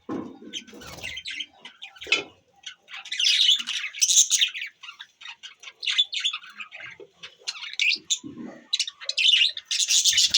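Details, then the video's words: Budgies on December 25, 2023 chirping and squawking nonstop: rough, warbled chatter mixed with sharp high squeaks, some calls overlapping as several birds call together. "chirping sound budgies birds"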